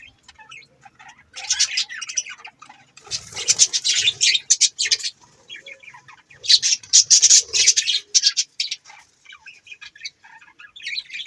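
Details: Budgies chirping in dense bursts of rapid scratchy, warbling notes, two loud busy spells separated by quieter chatter, with some faint wing flutter.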